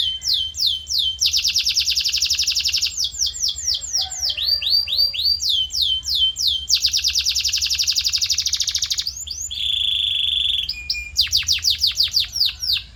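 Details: Canary tutor song for training a canary's voice character: alternating rapid high rolled trills and series of sweeping slurred notes, with a sustained lower buzzy tone near the end before more quick slurs.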